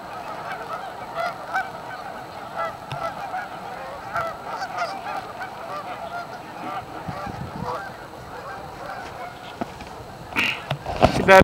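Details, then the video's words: Steady overlapping honking from many Canada geese gathered at a staging area, Amber Trails Lake, Winnipeg, Canada; a few louder nearby honks and some rustling come toward the end. "Canadian Geese Staging Area"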